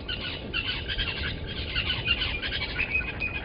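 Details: Yellow-billed and red-billed hornbills beside the Gowrie dam waterhole, Djuma Game Reserve in the Sabi Sand Wildtuin, South Africa, at 05:16 on 13 October 2020: loud, dense chattering clucks, repeated in uneven pulses, close to the fixed camera.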